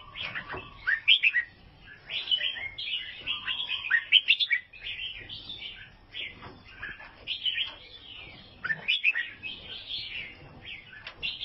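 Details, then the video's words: Albino sooty-headed bulbul from Vietnam singing a busy stream of chirpy, warbled notes, with fast rising and falling slurs and a lower steady whistled tone near the start. "KICAUAN BURUNG KUTILANG ALBINO OF VIETNAM"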